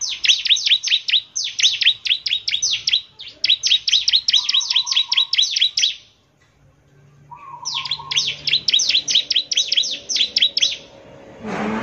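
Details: Bar-winged prinia in full song, aimed at making other prinias reply. There are four rapid bursts of shrill, clipped notes, roughly two or three per second, split by pauses. A faint low tone and a short noisy rustle close the clip.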